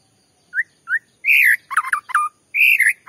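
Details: White-rumped shama, a lure song played to provoke another shama into singing: two short rising whistles, then loud bursts of rich, fluttering warbled phrases with harsh notes mixed in, ending on another strong whistled phrase.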